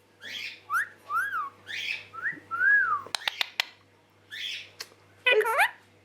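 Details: Pet green Indian ringneck parakeet kept indoors by its owner, a talking bird that says about ten words; series of rising-falling whistled notes, then sharp clicks and a harsh wavering squawk, with the owner talking.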